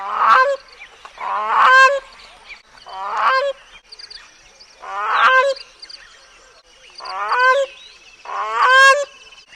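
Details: Grey crowned cranes with their chicks give loud honking calls, each a rising harmonic-rich burst, repeated in pairs roughly every one and a half seconds across the recording.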